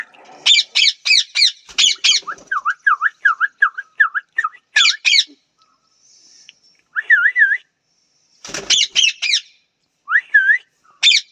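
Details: Parrot giving loud, varied whistles: sets of high, stacked rising-and-falling notes, then a series of lower, swooping V-shaped whistles repeated about twice a second. The calls come in bursts separated by short silences.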